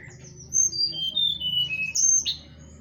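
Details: Horsfield's bush lark song, played as a lure to prompt reluctant larks to sing: a run of thin, high whistled notes that step downward, then a bright sharp burst near the end, over a faint low hum.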